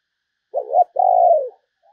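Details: Spotted dove used as a decoy to lure other doves: a low two-part coo, a short hoarse note followed by a longer steady purring note that falls off at the end, in quiet surroundings.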